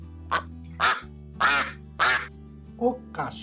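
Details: Domestic duck quacking: about six harsh, nasal quacks spaced roughly half a second apart, the last ones softer, over a steady background music track.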